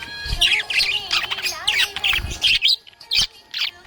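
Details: Happy budgerigar chirping: dense, rapid high chirps and scratchy squawks in quick bursts. The chatter is almost continuous at first, then breaks into short separate calls with brief pauses near the end.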